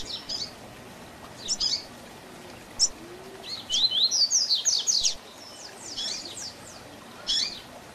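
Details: Double-collared seedeater performing a 'Tui Tui Zel Zel' differentiated teaching song for young birds. Scattered high, thin chirps give way to a dense burst of quick slurred notes midway, then a few isolated chirps.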